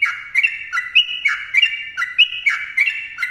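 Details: Sooty-headed bulbul delivering dense, rapid song: quick bubbly slurred notes stepping between two pitches roughly every third of a second, punctuated by dry clicking sounds.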